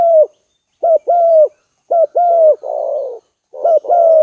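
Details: Spotted dove call for luring birds: loud paired coos, a short note then a longer gently falling one, with a rough burry coo tucked into the middle of the series.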